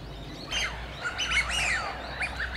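A White wagtail gives a run of sharp, twittering chirps, several quick high notes in succession, over a faint low hum.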